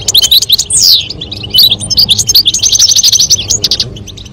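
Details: Male European goldfinch song with female calls, aimed at stimulating mating; rapid high twitters and a sweeping falling whistle, then a fast buzzy run of repeated ringing notes about a second long.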